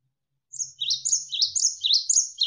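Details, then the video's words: Cinereous tit, locally gelatik wingko, singing for tutoring songbirds: after half a second of quiet, a fast run of high, ringing, repeated two-note whistles, around six phrases in quick succession. "MASTERAN GELATIK WINGKO Gacor Berjeda 1-3 Menit"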